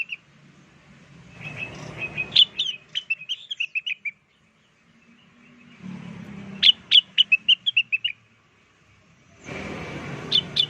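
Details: Lure song of the blue-winged leafbird, used to get wild birds to call back: two lively rapid strings of bright, high, bubbly chirps separated by silence, with low rumbling noise between phrases.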